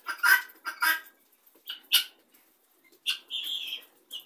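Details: Helmeted guineafowl in a flock, spending time together: a few loud, harsh, grating bursts in the first second, then shorter scratchy calls spaced out, with quiet gaps between.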